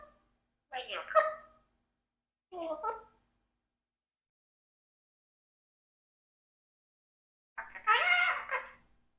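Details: A 4-year-old pet Congo African grey parrot talking in three bursts of mimicked speech-like phrases, with harmonic, voice-like tones and raspy edges, and a long silence between the second and third bursts.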